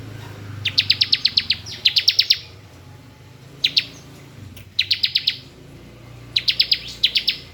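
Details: Ciblek, the Bar-winged prinia, in ngebren song: fast trains of dry, ticking buzzy notes repeated in short bursts of five to eight, with brief silent gaps, over faint low background hum.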